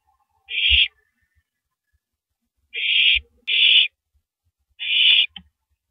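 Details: Female owl shredding and swallowing a large rabbit at 3:33 AM on April 9, 2012: four harsh, breathy hissing bursts, two of them close together, with faint low knocks between.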